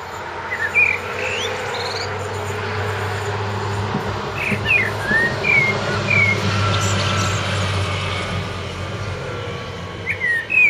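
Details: Eurasian blackbird singing in a front garden beside a street on 29 March 2014; scattered fluty whistled phrases with twittering ends over a steady low traffic rumble.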